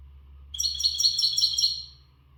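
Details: Gharb goldfinch, untutored, singing at full breeding readiness: a rapid, even trill of bright tinkling notes lasting about a second and a half, over a low constant hum.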